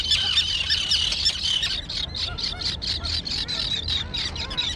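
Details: Young terns, recently fledged, in a colony on a small island overgrown with dense grass. A busy chorus of harsh, high, overlapping squawks, thickest in the first two seconds, then short rasping notes repeated rapidly.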